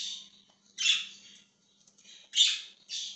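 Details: Budgerigar, dated 20 January 2023, squawking in short harsh, buzzy bursts, four main calls in about three seconds separated by brief quiet gaps, with a faint low hum.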